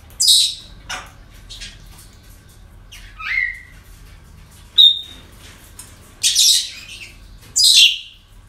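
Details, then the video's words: Parrots at a breeding centre on a typical day, mixing harsh squawks with a falling whistled note and a short clear whistle, several calls spread over the clip. "Relajación Loros En El Centro De Cría"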